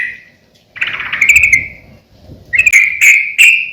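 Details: Sooty-headed bulbul song for training and luring birds: a short whistled note, a trilling chattering phrase, then three clear, rising whistled notes in quick succession. Quieter, with faint low background hum.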